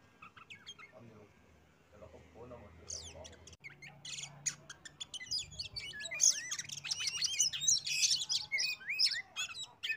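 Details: Lure song of an oriental magpie-robin meant to prompt other birds into singing. After a quiet start with faint low murmuring, a dense, fast chatter of high whistles, trills and squeaky notes builds and keeps going.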